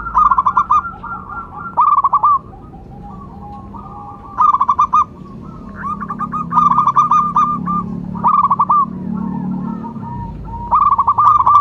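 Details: Calling local zebra dove kept as a lure bird: a series of rapid rolling coo phrases, five or six bursts with drawn-out notes between, background hum throughout.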